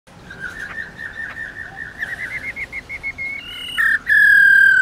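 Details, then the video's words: Female black-throated laughingthrush giving a long "ro ro" song meant to stir males into singing: a rapid run of short whistled notes, repeated about four per second and rising slightly, ending in loud, steady, pure whistles. "Khướu mái RO RO dài kích trống cực căng lửa"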